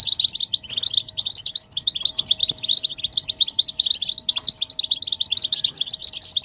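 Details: Goldfinch chorus for stimulating silent males: an unbroken, busy flow of quick, sparkling chirps and twitters from several European goldfinches, with a faint steady tone underneath.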